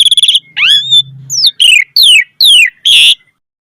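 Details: Caged-bird tutor phrases of an Asian pied starling: a rapid rattling trill, a swooping whistle, then a regular series of falling slurred notes closing with a rasping buzz.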